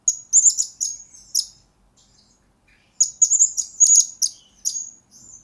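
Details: Blue-crowned hanging parrot sings for training other birds as a lure: two dense bursts of piercing high, rippling chirps and trills split by a quiet gap of about a second and a half.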